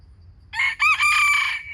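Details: Wild chicken crowing: one loud, harsh call about 1.3 seconds long. A short opening note, a brief break, then a rising burst that settles into a sustained buzzy, ringing tone before cutting off. Faint low hum in the background.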